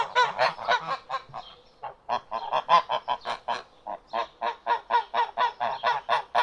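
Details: Repeated nasal duck quacks in an uneven rhythm. The short calls come quickly one after another with brief pauses.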